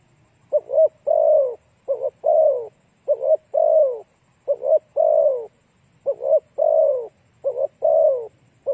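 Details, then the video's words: Spotted dove calling to draw in other doves: six low, soft phrases, each a brisk doubled note leading into a longer falling coo, spaced about a second apart, with a faint continuous high-pitched hum behind. "Cu gáy kích mồi tập bổi hiệu quả nhanh"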